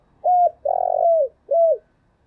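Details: Spotted dove calling as a trapping lure, from a full series of urging, cooing and crowing songs: three loud, deep, mellow coos, the middle one longest and sliding downward, separated by brief pauses in otherwise quiet surroundings.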